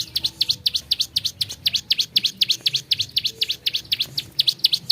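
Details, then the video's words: Bar-winged prinia in an energetic song variation: loud, clipped, high notes that dip and rise sharply, repeated rhythmically about four times per second with hardly a pause, over quiet low rumble. "5 VARIASI SUARA CIBLEK SAWAH GACOR"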